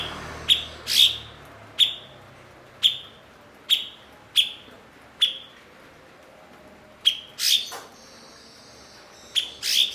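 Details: Blue-winged leafbird, called cucak cungkok, kept to teach other songbirds. Sharp high chips repeat roughly every second, now and then followed by a buzzy rasp, with a thin whistled tone near the end.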